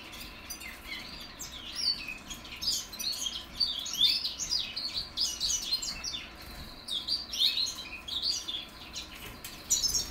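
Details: 2021 goldfinch mules still learning their song give an unbroken, quiet babble of high chirps, trills and twittering notes over ten seconds.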